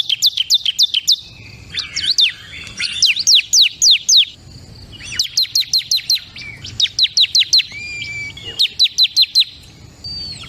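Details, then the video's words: Bar-winged prinia (ciblek kristal) pours out repeated groups of high, piercing downslurred notes, fast and varied in length, with a few lower, longer whistled slurs in between. "SUARA CIBLEK KRISTAL PALING GACOR"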